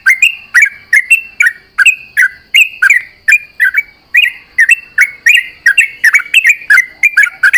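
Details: Trucuk, or sooty-headed bulbul, singing at daybreak during morning dewing, trading calls with companion birds: quick runs of bright, warbling chirps, some dipping and others rising, delivered in steady back-to-back phrases.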